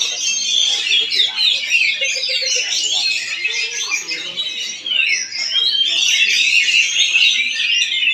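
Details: Oriental magpie-robin (kacer) performing in Palangkaraya, Central Kalimantan: a dense, continuous run of bright whistles, sweeping slurs and rapid chattering notes, high and varied, with faint low voices beneath.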